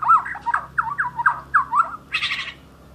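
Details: Lively song from an Asian brown flycatcher: five rapid looping, slurred warbled phrases in close succession, closing with a brief rasping, noisy burst.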